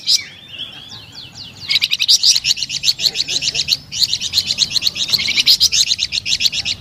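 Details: Flamboyan bird in melodious, lively song: a fast run of sharp high chirps, about four a second, with a few thin rising notes first and a short pause midway.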